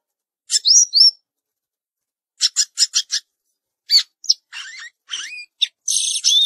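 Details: Samyong garugiwa bird in song: short bright chirps and rising whistled slurs, then a fast burst of five clipped notes, followed by varied scratchy phrases and buzzy trills.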